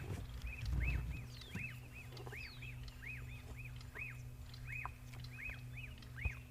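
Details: A black-backed puffback (formerly puffback shrike) heard from a safari vehicle on a 6 September afternoon drive, after the first big rains, repeats short, arched, clear whistles about two per second over a steady low engine hum.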